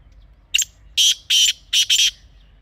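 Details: Grey francolin call used for hunting, a brief scratchy lead-in followed by four loud, rasping, harsh notes in quick succession within about a second.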